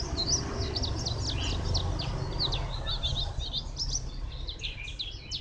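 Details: Thin, high, rapidly repeated chirps from a white-eye, Phù Yên, 02/10/2015, forming a loose twittering phrase against a broad low rumble.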